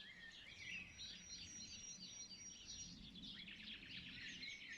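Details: Dense sunrise chorus of many birds, with busy overlapping high chirps and trills plus one long, thin, steady whistle held over the first three seconds. Faint low hum underneath.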